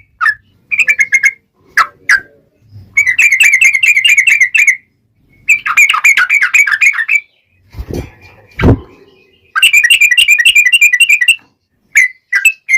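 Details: Sooty-headed bulbul in vigorous song, long rolling trill style used as a lure to make other bulbuls reply: bursts of rapid buzzy trilled notes, bubbly whistles in between, pauses, with a couple of sharp knocks near the end.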